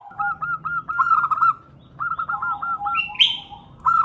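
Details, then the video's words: Female zebra dove calling to the male, used as a lure for other doves: runs of quick, bouncing cooed notes, with two overlapping series at slightly different pitches and a brief higher chirp from another bird near the end. "Suara Perkutut Betina Memanggil Jantan"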